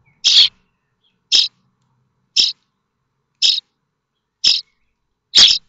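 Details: Common starling nestlings in a nest at Théding, France, 7 May 2024, begging as they stand up on hearing what might be a parent arriving with food; six harsh, hissing bursts, each about a fifth of a second, repeated roughly once a second.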